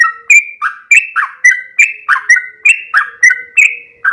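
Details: Sooty-headed bulbul singing loudly and vigorously, a fast run of short whistled notes that slur up and down, each brief phrase following the last roughly every third of a second with no other sounds.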